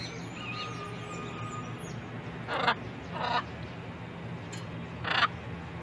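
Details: Wild blue-and-gold macaws gathered to eat sunflower seeds at breakfast give three short, harsh, grating squawks, the last the loudest, with faint thin whistles from other birds early on over steady background noise.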